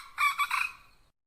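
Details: A hen calls to attract a rooster with one rough, wavering squawk that rises in loudness and trails off within a second.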